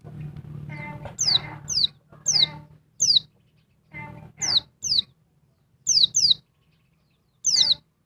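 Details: Agitated calling of a noisy female oriental white-eye provoking a male: repeated high, thin down-slurred whistles, often in pairs, with some harsher lower chatter and background hum at the start.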